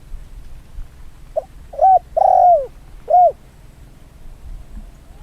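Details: Spotted Dove decoy in field training, about two years old and recovered from a twisted neck, gives a short coo phrase: a brief lead note, two rounded coos, a longer sliding coo, then a final arched coo, over quiet rural background.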